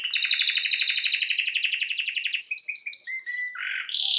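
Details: A canary sings a long, fast rolling trill of rapidly repeated notes lasting over two seconds, then shifts into short whistled notes and a brief buzzy phrase ending on a high tone.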